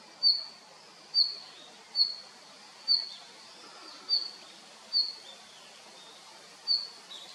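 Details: A male red-flanked bluetail gives eight clear, high, clipped notes, each under a second apart with a longer pause near the end, in a quiet setting.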